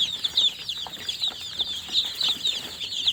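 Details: Newly hatched chicks calling in a continuous stream of high, piercing peeps, many birds chirping at once without a break.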